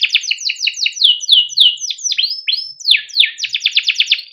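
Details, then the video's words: Canary singing for tutoring young canaries: rapid sweeping chirps, slowing into longer downslurred whistles, then a dense fast trill of repeated notes at the end. "kenari gacor PANJANG CUIT CUIT untuk pancingan kenari paud agar bunyi / Masteran kenari -canary bird"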